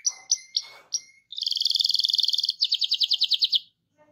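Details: Canary song to get other canaries singing: several short chirps, then a fast buzzy rolling trill and a slower run of repeated notes.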